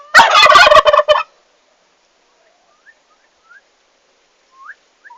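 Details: Newly arrived farm turkeys, 11 August 2015: a loud, rapid rattling gobble lasting about a second, followed by silence and a few faint, scattered whistled peeps.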